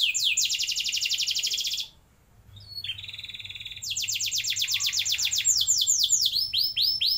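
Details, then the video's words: Canary song meant as a lure to get young canaries singing long rolls: a fast trill of rising sweeps, a brief silence, a short buzzy tour, then another rapid rolling run of sweeping notes over a faint low hum. "Pancingan Ampuh Buat Kenari Paud Agar Cepat Bunyi Ngeroll Panjang"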